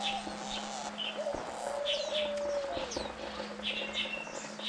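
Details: Diamond doves tending nine-day-old chicks, parents taking turns to feed them; one long, smooth, slightly falling coo in the middle, with scattered high tweets from other birds and a background hum.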